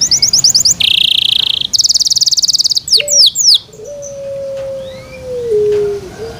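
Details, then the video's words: Captive canary (called a Yorkshire canary) song: fast trills and buzzy rolls, rapid downward sweeps, then a long pure whistled note. "Yorkshire canary Nice sound"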